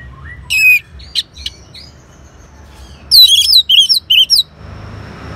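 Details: Anis merah, the orange-headed thrush, singing back at a lure sound: a few scattered chirps, then a rapid run of five loud, wavering whistled notes, ending in soft hiss.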